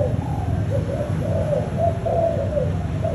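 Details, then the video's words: Short run of soft, low cooing notes from a spotted dove of the 'thúc gù' line, closely repeated with slight rises and falls, against a steady low-pitched hum. "Chim tơ malai dòng thúc gù!"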